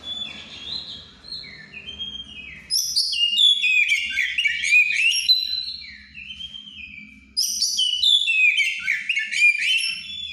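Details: Songs of a white-rumped shama in breeding condition: two long bursts of fast varied whistles and trills, sweeping down and up, after a quieter opening with low background noise.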